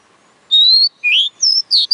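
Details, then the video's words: Oriental magpie-robin song made of four loud, pure whistled phrases: a long level note, a rising sweep, then two short high slurred notes, each separated by brief pauses. "Chích chòe than hót bá đạo"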